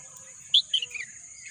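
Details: Wild bird chirping in a green natural landscape: a sharp high note, then two slightly lower slurred chirps descending in a short run, with a constant insect hum behind.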